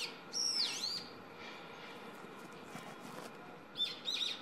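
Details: Young brown-eared bulbul singing on an electric wire in front of a house, about six to seven metres away. Loud, shrill, sweeping squeals open the clip and two more return near the end, over a steady humming noise.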